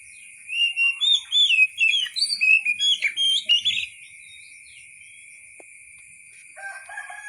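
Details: Rapid outpouring of sweet, slurred whistles from an Oriental magpie-robin lasting about three seconds, then near silence broken by a soft lower chirping at the end; a continuous high whine runs underneath.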